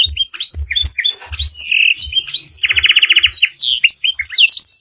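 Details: Canary master recording with blackthroat fill: quick high chirps and sliding whistles, then a steady buzzy trill near 2.7–3.3 seconds, before the bird returns to rising whistled sweeps. Soft low thuds sound below.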